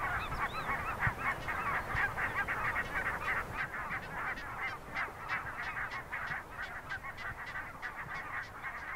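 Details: Many geese calling in a colony visited by a small polar bear cub; loud, quick-fire nasal honks repeat about three times a second, overlapping in a busy chorus that eases slightly toward the end.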